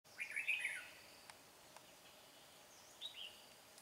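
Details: {'caption': 'Red-whiskered bulbul used as a decoy, singing to lure a wild rival into a trap: one bright, warbling phrase of quick slurred notes near the start, then a fainter short reply about three seconds later over steady background hiss.'}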